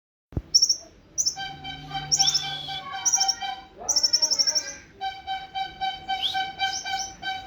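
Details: Olive-backed sunbird (kolibri ninja) singing in the nembak sejalur style: short, high, buzzy trills repeated in bursts. A steady pulsing harmonic tone and a low hum run beneath them.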